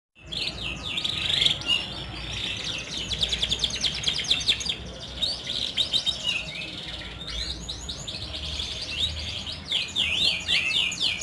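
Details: Canary song used to prompt silent or lazy canaries to sing: a continuous, dense run of rapid trills and chattering rolls with quick upslurred notes, over a low background hum.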